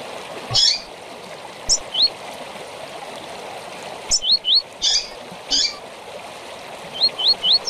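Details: Double-collared seedeater giving tui-tui song with chirps, meant to train young birds. Short buzzy chirps alternate with paired and tripled upslurred whistles in spaced phrases over steady background hiss.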